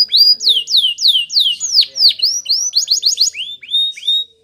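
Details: Spanish Timbrado canary training song: a rapid series of down-slurred whistled notes, about three per second, moving into quicker upswept chirps, bright and metallic, with no background noise.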